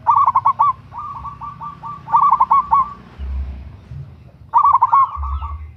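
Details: Zebra dove, local type, a female calling a male for luring: loud staccato cooing phrases with a softer run of repeated coos between them, the last phrase after a short gap.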